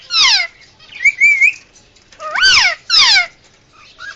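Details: Indian ringneck parakeet, a hand-raised pet, in emergency calling: one harsh squawk, a wavering whistled phrase, then two strong arched squawks and a soft short note.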